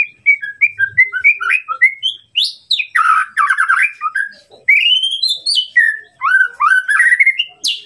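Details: Provocation song of a white-rumped shama: short whistled notes rise and fall in a hopping series, then buzzy, chattering phrases, a long upslurred whistle and more varied notes.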